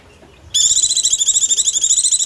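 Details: High, steady, rapidly pulsed chattering trill from a white-eye, starting abruptly and continuing without a break; a call used to lure wild birds.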